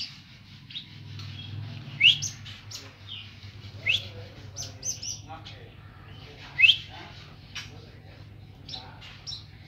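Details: Streaked spiderhunter in energetic song: scattered sharp, high upward-sweeping chips and short squeaky notes, spaced irregularly every second or two, with a constant low electrical hum underneath.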